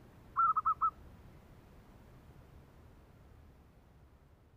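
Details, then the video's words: Zebra dove giving the song style called meratus kerok: one short burst of four quick rolling notes near the start, followed by only faint background hiss. "Burung Merbok meratus kerok"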